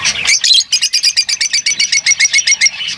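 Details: A lovebird gives a rapid series of about fifteen shrill, evenly spaced chirps, roughly five per second, after a brief harsh squawk.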